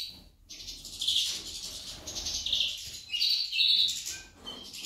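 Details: A female goldfinch sings a continuous high twitter of bright chirps and buzzy trills, with tones shifting quickly up and down.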